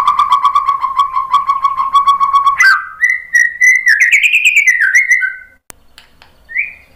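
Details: Lure song of a white-rumped shama to make birds reply: a steady buzzy pulsing note repeated rapidly for two and a half seconds, then clear rising and falling whistles and a final short upslurred whistle.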